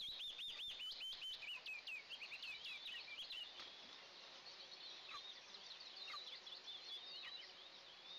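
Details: Eastern imperial eagle eaglets, a pair, calling as they are fed breakfast in the nest on June 29, 2024, nest camera; rapid clicking and high stuttering whistles open, followed by softer, scattered thin chirps.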